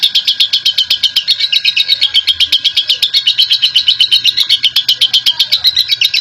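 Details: Caged lovebird, a national champion bird, giving long chattering ngekek song: a rapid, steady run of high buzzy notes about four per second, continuous through the whole stretch.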